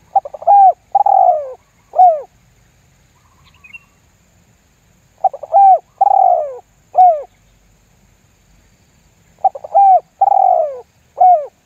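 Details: Spotted dove giving the lambung guk lure call used to draw wild doves into calling: three full phrases about every four to five seconds, each stuttered notes, a rich falling coo and a short arched ending.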